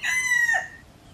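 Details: Near junglefowl at a Cambodian pagoda by Teuk Chob Khnar Po Community Forest, Siem Reap, giving the end of a crow: a loud, strained, level note dropping into a hoarse downward tail, then fading to quiet.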